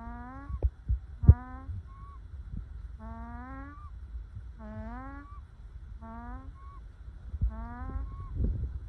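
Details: Ducks at rest in the sun make the happy duck noise: six drawn-out nasal calls, each rising a little, with short higher whistled notes after some and occasional knocks.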